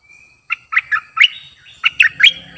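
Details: Cream-vented bulbul, a newly trained decoy bird, calling with short bubbly chirps in quick clusters, preceded by a thin rising whistle.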